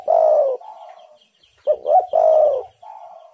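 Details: Spotted dove calling as a lure to provoke wild doves: a long hoarse falling coo with a softer tail, then two quick rising notes, another long throaty coo, and a softer trailing note.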